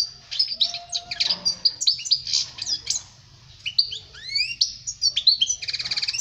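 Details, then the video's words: European goldfinch song for teaching youngsters: lively twittering phrases, clear upward-sweeping whistles midway, and a final buzzy, rattling trill, with a short quieter pause near the middle. "Chant chardonneret pour les jeuns لتعليم صغار طائر الحسون"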